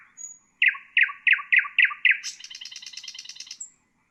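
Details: Nightingale song for training songbirds: a high thin whistle, then six strong falling notes at steady intervals running into a rapid buzzy trill, closing with a high whistle.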